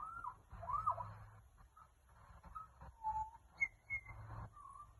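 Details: Australian magpie in Australia giving a varied run of clear, fluting whistles, some sliding up and down, in short phrases over a low rumble of background noise.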